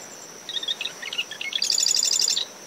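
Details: Close marsh wren song from dune shrubs surrounding a nest at SMNWR, early morning after post tropical depression Claudette: scattered bright chips accelerate into a rich, rattling, buzzy trill, set against a continuous high cricket note and wave noise.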